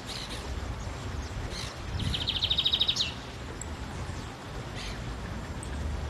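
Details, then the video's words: A Lined Seedeater singing free outdoors in nature gives a quick, high, buzzy trill of about ten rapid notes lasting under a second, over a steady low outdoor rumble. "PÁSSARO BIGODINHO CANTANDO AO AR LIVRE"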